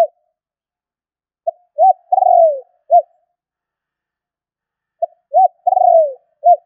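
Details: Spotted dove calling, a lure call for trapping birds: two phrases of brief soft note, rounded coo, drawn-out wavering descending coo and final short coo, spaced about 3.5 seconds apart in silence.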